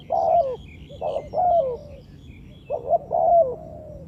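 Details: Spotted dove coos used to lure birds for trapping: loud rough coo phrases, short notes leading into a long falling coo, with faint higher chirps of other birds in the background.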